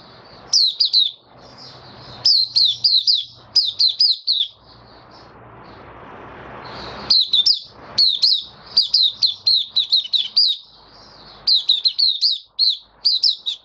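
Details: Caged white-eye singing in "buka" style on 18 May 2022 after deworm and supplement treatment; bursts of quick high chirps in groups of three to five, a quiet pause, then the energetic twittering continues.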